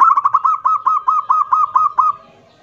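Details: Local zebra dove singing loudly in the kerot nguwor style, used as a lure to set other zebra doves singing: a rapid run of about ten rolling, cooing notes at a steady mid pitch over two seconds, then fading.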